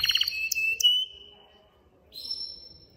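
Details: ['Male canary in a cage singing to stimulate a female to mate: a quick rolling trill drawing into a long steady whistle, silence, then a single high drawn-out whistled note fading away.']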